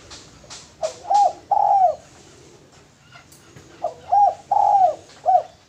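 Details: Male spotted dove used as a lure bird: two phrases of low, throaty cooing, each a short coo followed by a longer drawn-out coo and a brief final note, with faint chirps from other birds between.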